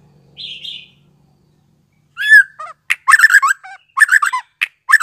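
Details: Young fledgling white-rumped shama, freshly weaned, used to stimulate young birds to learn sounds; a short buzzy note, a pause, then loud rapid chirps and squeaky twittering notes in quick bursts.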